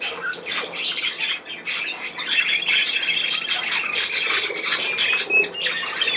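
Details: Budgerigar flock on 10 June 2024, a continuous high warble of quick chirps, rattling trills and thin whistled notes tumbling over one another without pause.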